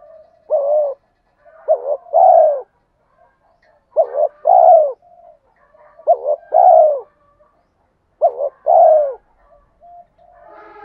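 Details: Male and female spotted dove calls meant to urge other doves to coo in training. Five steady phrases, each a quick wavering lead note and a richer descending coo, repeating about every two seconds over near silence.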